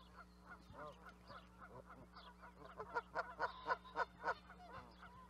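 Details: Canada geese honking in a flock, scattered nasal honks building to a fast, loud burst of overlapping honks about four per second near the end, with a steady low hum underneath.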